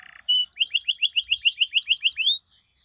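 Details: Canary lure song for canaries that have stopped singing: a brief buzz, then an even rapid trill of about a dozen repeated chirping notes lasting two seconds.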